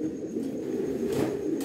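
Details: Racing pigeons cooing steadily in their loft ahead of summer breeding, a deep throaty rolling murmur that swells and fades, with brief hissy rustles near the end.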